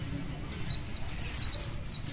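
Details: Wild white-eye singing in the morning, a brisk string of high, slurred twittering notes, about four per second, following a half-second of quiet.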